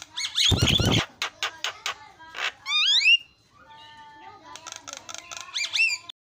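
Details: Javan myna mimicking, varied song used to provoke other mynas: a loud harsh noisy burst, then clicks, rising and falling whistled slurs, a flat whistle and fast scratchy chatter.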